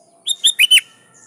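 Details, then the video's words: One short burst of sooty-headed bulbul song, used to lure and challenge wild bulbuls: four rapid liquid notes, the later ones bending and dropping, clear against near silence. "Suara Burung Kutilang Gacor Memanggil Lawan || Kutilang liar nyaut dan GACOR"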